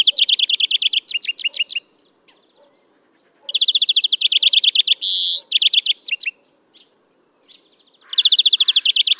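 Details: European greenfinch in song, Novgorod oblast, Russia, April 2015: long rolling trills of rapid notes broken by a flat buzzy wheeze, then more twittering trills, quiet gaps between phrases.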